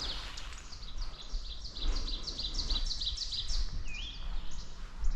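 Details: On the morning of May 19, during spring migration at Stronach Park, Kingston, Kings County, Nova Scotia, a Northern Waterthrush sings a rapid series of high, ringing chips, then a short falling slur, over a steady low rush of stream water.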